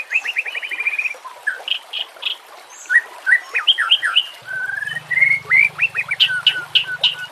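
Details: White-rumped shama singing a harsh 'nembak' style training song: a fast buzzy trill of repeated notes, then varied whistled phrases and rising sweeps. A low hum enters midway.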